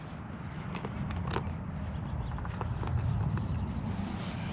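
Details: Low rumbling ride noise along a creek trail, with scattered scrapes and clicks and a steady high hiss, no animal calls.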